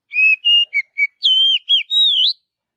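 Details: An Oriental magpie-robin in forest sings a phrase of four short whistles, a longer level note, a quick dipping note, and a closing whistle that swoops upward; clear, with no other sounds.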